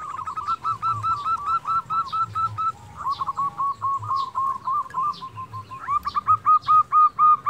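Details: Local zebra dove in persistent song, used as a lure to stir silent birds into singing: rapid runs of short, evenly pitched cooing notes in bursts, with breaks between phrases and faint low background rumble.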